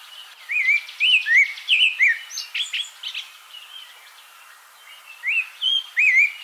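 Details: Abyssinian thrush from Africa singing: varied whistled phrases with rising and falling slurred notes and short buzzy trills, delivered in bursts with a brief pause mid-phrase; quiet natural background.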